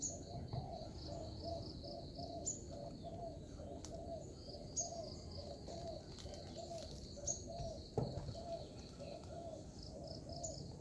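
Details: Zebra dove used as a lure for trapping, giving a steady run of short, soft, bowed coos repeated rapidly for the whole stretch, over a constant high insect-like whine and low background rumble.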